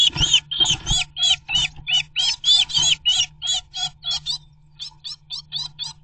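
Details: Two blue tits fighting a great tit over a nest site, sometimes jointly; loud, evenly spaced harsh scolding notes about three per second, fading into softer notes after a short pause.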